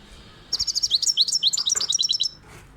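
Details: European goldfinch singing a fast, bright twittering phrase of rapid liquid chirps and trills, closely packed notes sweeping up and down for nearly two seconds, then stopping.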